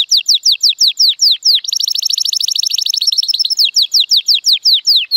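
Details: Male Timbrado Español canary, hatched in 2018 and scored 83 points, singing strongly in sunshine: falling whistled slurs repeated about three per second, breaking into a rapid rattling trill, then back to the drawn-out descending slurs.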